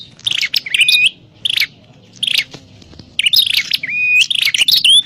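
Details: Trapping-lure calls of a prenjak klawu (prinia): rapid sharp chirps in brief bursts, a quieter middle stretch, then a dense run of chirps and rising whistled notes.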